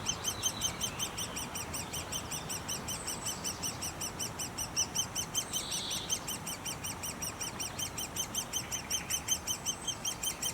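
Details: Great spotted woodpecker (Dendrocopos major) nestlings in the nest keep up a constant, high-pitched chorus of rapid chirps, several per second, that never pauses, with a faint rural hum underneath.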